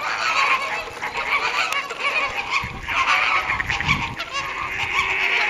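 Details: Continuous goose-like honks from many Caribbean flamingos in captivity at WWT Slimbridge, recorded 4/5/2011, with a low rumbling background.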